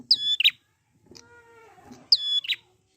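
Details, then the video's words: Wild prinia used as a song lure: two sharp, high whistled chirps, each sliding down then holding level before a short burst, with a softer, lower, buzzy harmonic note in between. "pancingan prenjak gacor alam liar"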